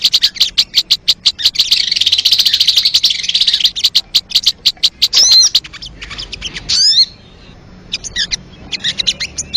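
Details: Sogon song recorded for luring birds: fast, high, ticking notes run into a dense chattering trill, followed by sweeping whistled slurs and scattered short notes after a brief pause.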